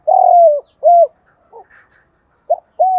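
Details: Spotted doves, male and female, give calls in the gáy gọi and thúc style to stimulate other doves while training. A long falling coo and a short rounded coo are followed by faint chatter. Another pair of clipped coos comes after.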